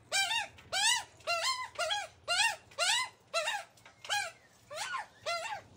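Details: Baby Australian magpies (Gymnorhina tibicen), a group, beg with about ten harsh, nasal, rising-falling squawks roughly every half second while being fed by their mother, over a faint low hum.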